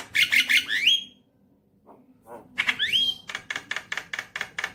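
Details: Lure song of a Javan myna for prompting a pet bird: loud harsh squawky notes with rising whistled slurs, a short pause, then a rapid even series of rasping chattering bursts.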